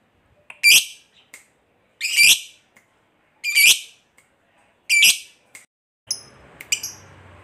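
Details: Lively fighter lovebird whose calls make silent birds answer: four loud, harsh, squawky shrieks at roughly 1.3-second intervals, then a softer hissing background with a few thin squeaks at the end.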